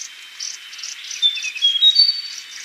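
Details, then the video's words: Yellow-bellied warbler singing short high whistles that slide upward and then jump higher, set against steady, insect-like pulsing chirps at an even faster rhythm. "Suara Asli Cikrak Bambu - Yellow Bellied Warbler"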